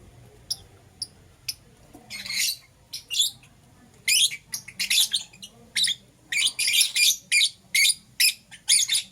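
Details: Euwing green opaline and lutino lovebirds, morning: thin isolated chirps open, then the pace builds into rapid, rasping high chirps and squawks coming several per second.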